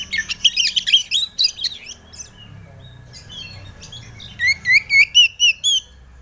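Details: White-rumped shama song played as a lure to make a young bird sing: a varied burst of rich whistles and buzzy notes, a short pause, then a run of about seven repeated rising whistled notes, four per second.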